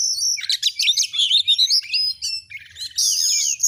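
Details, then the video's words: Oriental magpie-robin song recorded as a tutoring track to rouse other birds into display: a rich, fast run of varied whistles, trills and sharp chirps, all high-pitched and dense, with a bright, sustained whistled phrase at the end. "Masteran burung Kacer AUDIO JERNIH BUAT ANGKAT EMOSI AGAR CEPAT ON NGOBRA,Kacer gacor"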